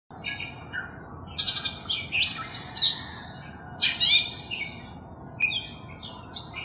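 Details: Long-tailed Shrike, recorded July 8, 2021, mimicking other birds (thought to include Crested Myna, Collared Kingfisher, Eurasian Tree Sparrow, Pied Triller): a varied medley of sharp chips, whistled phrases and buzzy trills, each different, in a quiet outdoor setting.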